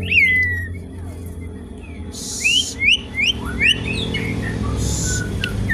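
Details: An Asian pied starling sings as a lure and a song tutor for other birds. An opening looping whistle is followed by a run of four quick upslurred whistles, with hissing bursts and softer chatter.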